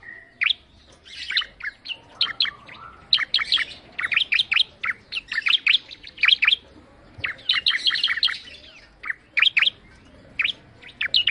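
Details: Bar-winged prinia singing: bursts of sharp, high chirping notes in quick runs, separated by short pauses, with a brief whistled note near the start.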